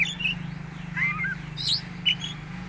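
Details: An Oriental magpie-robin giving an odd sound: scattered short whistled chirps, some paired and slurred downward, with a higher squeaky note near the middle, set against a constant low droning hum.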